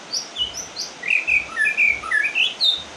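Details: White-rumped shama after its moult, heard during rain: varied, rapid sequence of clear whistles and slurred notes jumping between high and middle pitch, about two per second, with faint low thuds underneath.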